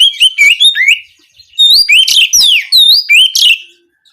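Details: Oriental magpie-robin (kacer) singing in a canary-imitating style, used to coax kept birds into full song: loud, clear whistled phrases of rising and falling slurs, delivered in two rapid runs split by a short pause.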